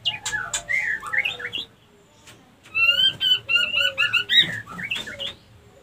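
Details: White-rumped shama lure to bring females into breeding condition; varied sliding whistles, a pause, then a long run of repeated ringing chirps and warbles.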